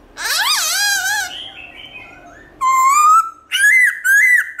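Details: Black-throated laughingthrush singing a wild-type song in the morning: a long rising, wavering cry that fades lower, then loud clear whistles sliding upward, repeated in quick bursts.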